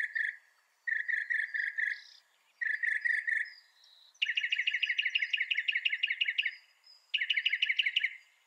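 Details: Mockingbird song switching between phrase types: groups of bright repeated chirps, then a long fast run of sharp, rhythmic notes, each type repeated several times before changing; clean, quiet background.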